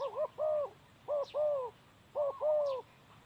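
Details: Male spotted dove, a decoy bird in ground trapping, cooing in three phrases about a second apart. Each phrase is a short hollow note followed by a longer, slightly falling coo, with soft chirps in the background.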